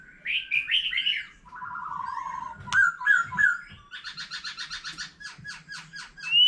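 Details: White-rumped shama matured in the wild, singing many phrases with a laughingthrush: warbled whistles, a flat buzzy note, three short whistles, then a rapid train of repeated notes.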